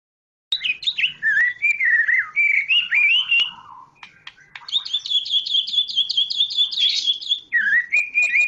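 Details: Song of a white-rumped shama from Medan: clear warbled whistles wandering up and down, then a rapid even trill of repeated high notes and a final dipping whistle.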